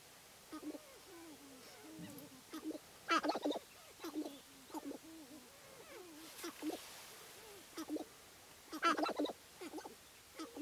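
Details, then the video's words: At a Wisconsin spring lek in the Namekagon Barrens, displaying male Sharp-tailed Grouse give continuous low, bouncing cluck and coo notes, with two louder crackling rattle bursts standing out. "Sharp-tailed Grouse Lek"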